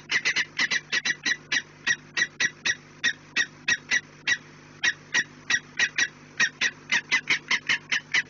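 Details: Peregrine falcon calling at its nest, Orlen, 4 March 2019, 16:28: sharp scratchy kek notes repeated about three to four per second, slightly irregular, with short gaps and a faint steady hum.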